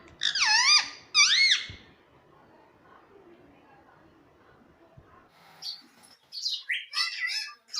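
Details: Pet ringneck parrot calling: two loud, harsh, wavering screeches with rich harmonics, then a quiet pause and a burst of shorter squawks and chattering notes near the end.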